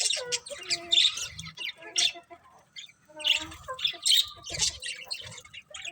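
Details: Pet budgies chirp and warble in quick, scratchy bursts, mixing high squeaky notes with lower, short tonal calls in an uneven rhythm.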